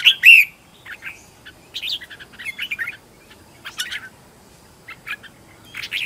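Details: Red-whiskered bulbul decoy song used to call in wild birds: a loud slurred whistled phrase at the start, followed by scattered softer chirps and short chattering notes.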